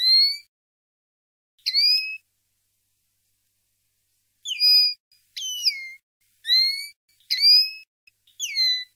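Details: Field-style common linnet song for young linnets to learn: a sparse series of clear, slurred whistles, each short note sliding down or hooking up, given singly and then more quickly in a loose run after a pause.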